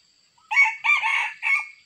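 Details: Wild Sumatran red junglefowl, described as very fierce, crowing in Sumatra, Indonesia, while being lured with a decoy: a loud, clear three-part crow, a short first note, a longer middle phrase and a rising final note, with near silence around it.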